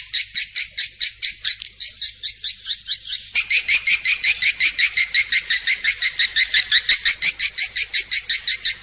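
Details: Swiftlet calls used as a masteran training recording: rapid, regular chirped notes, close to three per second, growing louder and denser after the first few seconds and continuing unbroken over a light background hiss.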